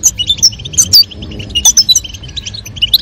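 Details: A female and a male European goldfinch, the female calling and the male singing to stimulate mating. Quick bright chirps and sharp tweets come in fast broken bursts, with a faint murmur of background music beneath.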